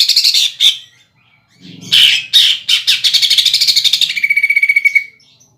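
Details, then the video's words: Caged greater green leafbird lure song filled with mimicked woodpecker, kingfisher and sparrow-fight calls: harsh chattering notes, then a fast rolling rattle that ends in a steady high whistle. "PANCINGAN CUCAK IJO ISIAN PELATUK BAWANG SAMBUNG TENGKEK BUTO DAN GEREJA TARUNG"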